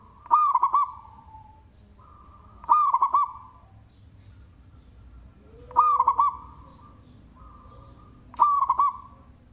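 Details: Big-voiced local zebra dove singing, suited for use as a lure: four loud phrases of rapid rolling coos about every three seconds, with quieter lingering coos from other doves and a faint continuous high whine.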